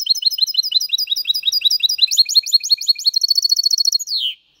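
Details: Goldfinch × canary hybrid performing Malaga-style song, used to train chicks and stimulate males: fast repeated chirps speed into a rolling, even trill, closing with a drawn-out descending note.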